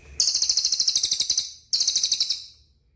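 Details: Cililin training recording for caged birds: two high, rapid trills, a longer one of about fifteen sharp notes and a shorter follow-up, each note evenly spaced and crisp.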